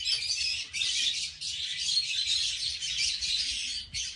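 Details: A pair of captive red-fronted kakariki parakeets give a dense, harsh, high chatter, nearly continuous with few brief pauses, while mating.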